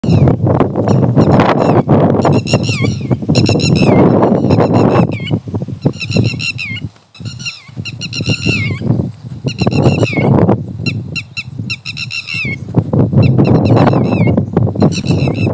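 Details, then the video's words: Several Bar-headed geese give nasal, honking calls in quick, overlapping bursts over a rumbling, windy background. "Bar-Headed Geese can be heard chirping sound."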